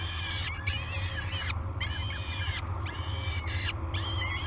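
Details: Peregrine falcon chicks waking at feeding time on a nest-cam at Great Spirit Bluff on 22 May 2020: repeated harsh, arched calls with strong overtones come several times a second over a steady low hum.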